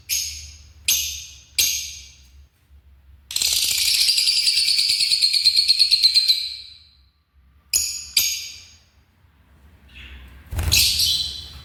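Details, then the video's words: African lovebird: three sharp buzzy chirps, then a long rapid rattling chatter of about four seconds, followed by more harsh chirps and a final screech. "The Vibrant Sounds of African Love Birds"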